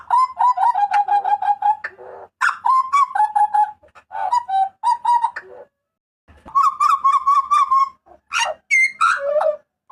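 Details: Papuan butcherbird giving loud, ringing harsh cries used as a master recording for training cage birds: burbling mid-pitched notes in bursts, a long wavering phrase at the start, brief gaps, then another rapid run of harsh notes.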